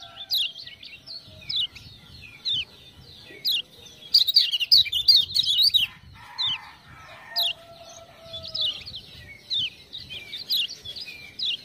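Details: Continuous high chirping from a lemon-bellied white-eye prompted with ciak-ciak sounds, notes roughly three per second, one loud rapid flurry midway, and soft low whistled tones in the background.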